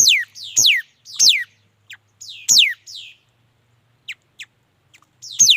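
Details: Song of a mi dat bird: a quick run of bright, steeply falling whistled sweeps, a softer trailing phrase after each, then scattered thin high chips and another loud downward sweep at the end.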